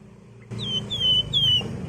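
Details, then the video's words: Wergan jawa (flamboyan) singing as a lure for flocking birds: three long whistles that each slide down and flatten, delivered in a steady row against a low hum. "BURUNG WERGAN JAWA GACOR NGEBREN"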